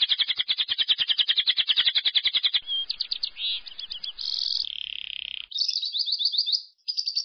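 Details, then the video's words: Lovebird ngekek that stimulates others of its kind to sing: a rapid scratchy chattering trill, then a jumble of short buzzy bursts, a sustained raspy note and quick whistled chirps. "PANCINGAN LOVE BIRD NGEKEK DURASI NAPAS PANJANG"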